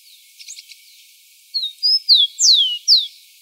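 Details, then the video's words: Rufous-collared sparrow recorded live in the wild as a model for young birds, one song phrase of five clear whistles, two steady notes followed by three bright down-slurred ones, after faint soft chips. "Tico tico cantando ao vivo na natureza para ensinamento de filhotes"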